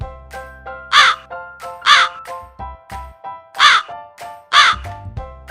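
A crow gives four harsh, raspy caws in two pairs, each pair about a second apart, over soft background music.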